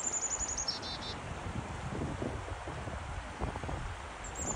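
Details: A black-capped chickadee next to a river in North Carolina gives a thin, high whistled note dropping to a lower one, then begins again near the end, over steady rushing water and rustling.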